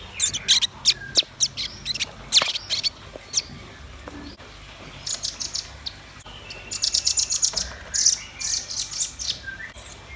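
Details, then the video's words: Red-billed nuthatch and white-rumped shama song: uneven bursts of sharp, high chirps and trills, dense toward the end, with brief pauses between runs. "Suara kicau burung rambatan paruh merah dan murai batu gacor"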